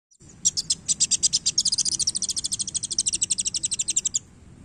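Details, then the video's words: Sunbird (kolibri wulung) singing actively while flicking its tail: a long, rapid, very high trill of about forty evenly spaced sharp pulses lasting nearly four seconds, slightly louder in the middle, over quiet low background hum. "KOLIBRI WULUNG GACOR Main Ekor"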